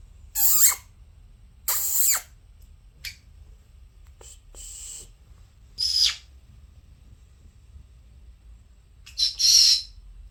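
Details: A pair of pet conures indoors: harsh, scratchy squawks in irregular bursts, two loud ones early, a few faint clicks, then more rasping calls near the end.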